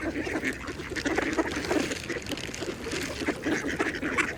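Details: Several mallards feeding on a pond give a continuous mix of low nasal quacks and brief raspy calls, closely packed, with quiet water sounds behind.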